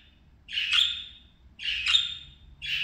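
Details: Pet parakeets at play give harsh, buzzy squawks. Two loud calls about a second apart each fall away into a fading tail, and a third call begins at the end.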